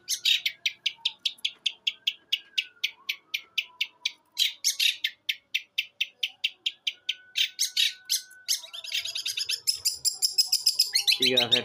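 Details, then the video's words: Eight-month-old long-tailed shrike, Jember, East Java, singing in one breath with sparrow, kuntilanak and tengkek buto imitations: a long series of crisp rhythmic chips, speeding into dense twittering chatter toward the end. "CENDET USIA 8 BULAN MATERI SATU NAFAS GEREJA KUNTILANAK TENGKEK BUTO"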